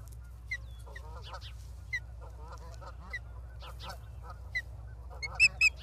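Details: Osprey at its nest in Charlo, Montana, recorded by a live nest camera on 28 August 2023: scattered short whistled chirps, ending in two loud, sharp, clear whistles near the close, over a steady low hum.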